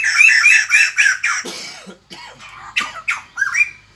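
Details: Morning song of the white-crested laughingthrush: rapid harsh cackles giving way to scattered lower croaks and rising squeaky notes, separated by short pauses.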